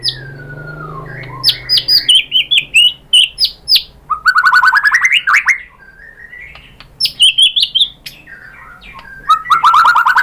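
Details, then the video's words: White-rumped shama singing a lure song to provoke a response. A low falling whistle opens, then high sharp notes, a fast buzzy climbing trill, bright slurred whistles and a closing rapid trill, with a low hum early on. "pancingan MURAI BATU bikin EMOSI NYAUT BONGKAR MATERI ISIAN"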